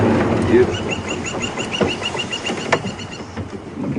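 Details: Woodpecker calling on a mid-morning safari drive at Djuma Game Reserve on June 28, 2015: a fast, even series of sharp, high notes, about three or four per second, over a low vehicle rumble.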